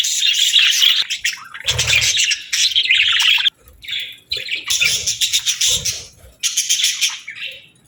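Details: Budgie chirping and singing in rapid bursts of sharp, scratchy notes, about four per second, grouped into phrases a second or two long and separated by short silences.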